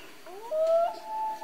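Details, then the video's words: Short nighttime common loon wail, a smooth note sliding upward and then stepping to a higher held tone, heard over a quiet background. "Relaxing Loon Call At Night, Common Loon Call"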